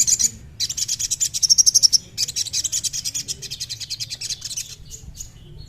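Trilling Shrike-babbler song: long, very high, dry trills of rapid ticking notes in bursts of a second or more, with short breaks between them.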